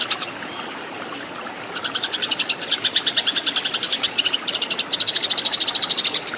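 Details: Fighting song of a Eurasian tree sparrow, meant for tutoring cage birds. After nearly two seconds of faint hiss, a fast run of bright, clipped chirps begins and keeps going evenly to the end.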